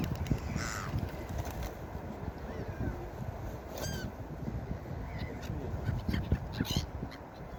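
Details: Seagulls at a beach giving a few scattered yelping cries, one clearer call near the middle, set against loud, continuous rumbling waves.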